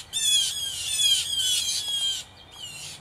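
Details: Three to five blue jays squabbling in a territorial battle in a yard tree; a run of grating, nasal jeers in quick succession, each harsh and buzzy with a slight downward slide, then a fainter call near the end.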